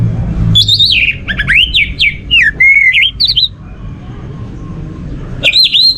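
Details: Orange-headed thrush song for stimulating other birds to sing: a tumbling sequence of slurred, upward-swooping whistles and squeaky notes, then a pause and a final rising whistle.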